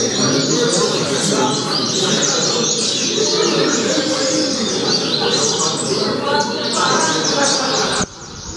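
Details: Double-collared seedeater performing the Altas Horas song style, a rapid chain of high downslurred whistled notes lasting about eight seconds before stopping abruptly, with dense hiss throughout.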